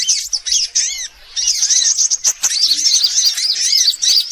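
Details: Sunbirds on a lure recording: sharp, arched chirps in a quick series, a short near-silent gap just after one second, then dense high twittering.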